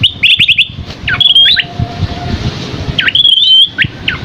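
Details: Scaly-crowned babbler, masteran tutoring recording. A quick trill of repeated whistles opens, followed by looping slurred notes and sharp downward sweeps. A faint steady tone and low noise run in the background.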